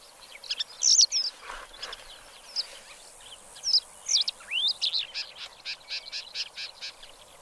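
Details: Black lark (Melanocorypha yeltoniensis) song: a quick, high jumble of chirps and slurred whistles with one rising note, ending in a brisk run of repeated buzzy notes.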